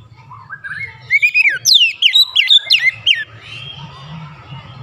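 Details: White-rumped shama lure song to provoke other shamas: soft rising whistles build into a loud run of steep downslurred notes, then fade, over a steady low hum of background noise.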